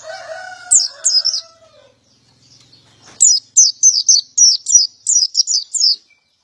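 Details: Opening with a rooster crow behind a few chirps, then a male white-eye sings 'gacor', 'ngalas ngeplong' style: a long, steady string of high, sharp, rapidly repeated chirped notes.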